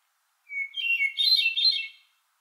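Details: A single hermit thrush phrase: a steady, clear introductory whistle leads into a swirling series of fluty, bell-like notes that climb higher and then fade. Clean recording with nothing else audible.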